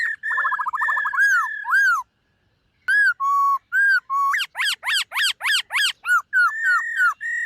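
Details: White-cheeked laughingthrush singing in morning voice practice, with a trilled whistle, falling notes, then after a short pause a steady series of loud arched whistles repeated about twice per second.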